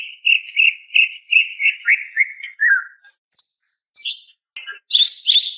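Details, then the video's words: Calling female greater green leafbird summoning a male: a steady run of about ten buzzy, evenly spaced notes slowly falling in pitch, followed by a thin high whistle and a few sharp chirps. "TERAPI BURUNG CUCAK IJO MACET DAN STRES DENGAN SUARA BETINA MEMANGGIL JANTAN"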